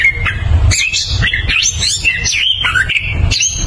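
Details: A strongly singing orange-headed thrush, recorded as a lure to prompt silent birds, pours out a fast, unbroken run of rich whistles and scratchy warbled notes, jumping between high and middle pitches, over a low steady rumble.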